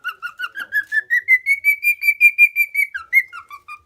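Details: Cockatiel, a lutino male aged four kept tame at home in Minoh, Osaka, strings evenly spaced whistles that rise smoothly to a high plateau, then drops into a few lower falling notes.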